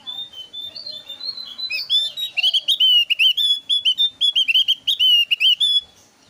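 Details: Varied, lively song of a thin-browed Javan grey-throated white-eye, used as a lure to prompt others to sing: soft warbling builds into a fast, loud series of sharp whistled chirps, each bending downward, about two per second, then fading.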